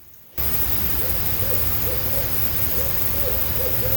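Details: Barred owls calling back and forth at night near camp on Long Pond in the Adirondacks' St Regis Canoe Area, with loons nearby: repeated short, rounded hoots scattered over four seconds amid constant background hiss.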